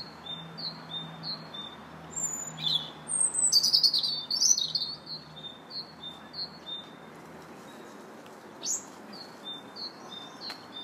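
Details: Robin singing in a park on 2 March: another bird's short repeated notes tick along steadily while the robin gives a rapid, high, jangling warble of mixed thin whistles and trills in the middle, with a brief high squeak later.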